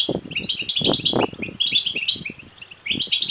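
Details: Fast, twittering begging notes from European goldfinch chicks, high and buzzy, in dense runs broken by a short gap, with prominent low thumps. Used to excite male goldfinches into singing and mating.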